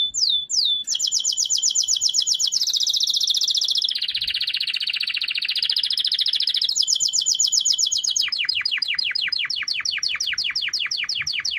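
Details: Canary song of changing tours: two opening whistled slurs, then fast trills, a broad buzzy rattle, and a closing series of rapid descending sweeps, all continuous and loud.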